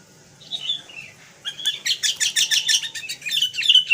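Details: Sooty-headed bulbul, kapas type, loud full isian tutor song: a soft slurred whistle, then a rapid, continuous stream of buzzy chattering notes and bright whistles, several per second, steadily growing louder.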